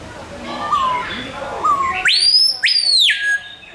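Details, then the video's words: Captive Screaming Piha (Lipaugus vociferans) at Burgers' Zoo, Arnhem, Netherlands, landing close by and giving its loud call: two soft falling whistles, then a piercing whistle whipping sharply upward twice into a long slurred note. "Screaming Piha doing its loud call"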